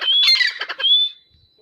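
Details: Grey francolin giving a single brief phrase: a rising whistle, a rough squawky chatter, then a second rising whistle that trails off into quiet.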